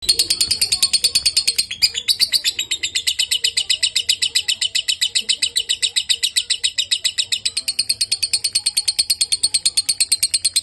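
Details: Lovebird in long-duration singing: a fast, unbroken run of high, shrill chirps, about five to six a second, held for the full stretch with steady loudness.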